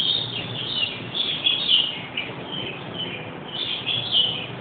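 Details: Pet black-capped lory calling indoors: shrill, high squeaky chirps and warbles in an irregular run, with a faint background hiss.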